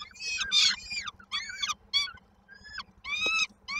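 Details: On 19 May 2022 in Koszalin, Poland, peregrine falcon nestlings await their mother bringing supper: short harmonic squealing calls in small clusters, a quiet pause in the middle, then a louder drawn-out squeal, over a faint low hum.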